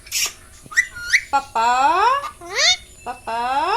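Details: A pet parrot talks, imitating Hindi speech in short, childlike phrases of squeaky, sliding syllables, some rising, some falling, about six bursts in under four seconds.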